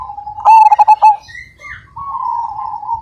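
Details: Majapahit zebra dove with a big voice: a brief soft coo, one loud stuttering burst of pulsed notes, then a steady, softer drawn-out rolling coo.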